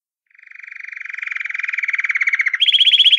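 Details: Belgian canary in pure campainha song: a fast, even, ringing trill that swells steadily from quiet to loud, then jumps abruptly to a higher-pitched trill near the end. No other sounds.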